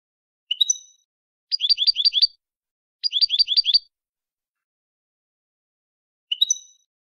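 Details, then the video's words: Canary in malagueño song style from a teaching CD. A short bright note is followed by two separate bursts of quick, rolling high trills, then a pause and another single sharp note. The backdrop is silent. "cd canto malagueño"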